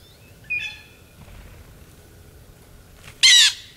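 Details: Blue jay at a December 2023 feeding frenzy in Maine, United States: a faint, brief nasal note early on, then one loud, grating squawk near the end against a quiet background.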